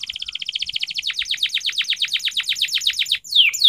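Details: Canary training song: a fast run of repeated descending whistled notes, about four per second, high and bright, ending in a few sweeping notes.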